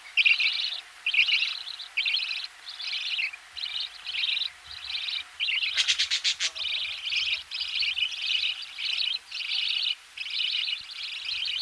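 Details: Budgerigar nestlings calling while fed, close up, with a knocking noise in the background: steady series of short buzzy, wavering bursts about every second, interrupted midway by a sharp rapid rattle of clicks.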